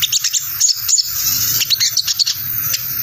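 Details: Sogon in ngriwik chatter, a lure that wild sogon answer: quick, high, dry chips in loose bursts, with brief gaps and faint low hum.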